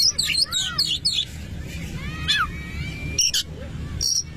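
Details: Oriental magpie-robin song meant to stir another magpie-robin to sing: quick string of high whistled notes, then a slurred rising-falling whistle and a long thin tone, followed by scattered sharp chirps against low background hum.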